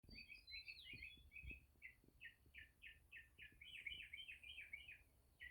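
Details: A grackle in the countryside gives a quick run of squeaky, chattering notes, about a dozen in five seconds, over low rumbling background noise, with a mockingbird singing in the background.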